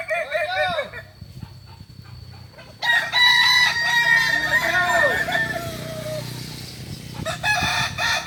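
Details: Kukuak Balenggek roosters at a contest final in Ampang Kualo, Kota Solok, on 8 September 2024. A short crow, then a quiet gap, then a long loud crow with stepped, falling syllables, and more crowing near the end.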